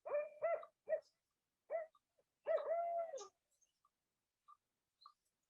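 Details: Barred Owl in the Sierra Nevada, an eastern species that has expanded west, giving its eight-note hooting call: rhythmic, resonant hoots, with a long drawn-out final note that slurs downward. A few faint clicks follow.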